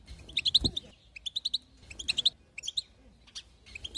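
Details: European goldfinch, female chatter used to make a male sing: short groups of three or four bright high twitters repeated at intervals, over a quiet background with a soft low thump near the start.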